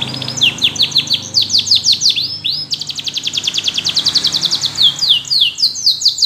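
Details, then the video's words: Yellow canary in full song, used to coax other canaries into singing: quick chains of falling notes, a long even rattling roll in the middle, then repeated sweeping phrases, loud and unbroken. "Canaries seduce friends to sing!! Yellow canary singing"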